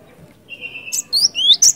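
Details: Cinereous tit, in lure recording of its gacor ngerol ngeplong singing: a level whistled note held briefly, then quick high rising slurs and sharp chips in rapid succession, clean and loud.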